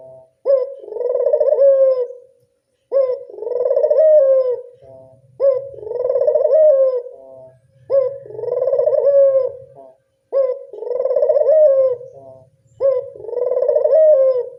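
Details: Repeated lure coos from a local Barbary dove, meant to draw in doves: six evenly spaced phrases, each a quick rising yelp followed by a rolling, tremulous coo. Phrases come roughly every two and a half seconds, with a soft low rumble between them.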